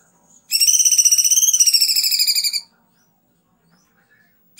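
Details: Kunti song, a master recording for training cucak ijo, kacer and murai: a single rapid pulsed trill of about two seconds, holding steady, briefly rising, then dropping slightly midway, in a quiet background.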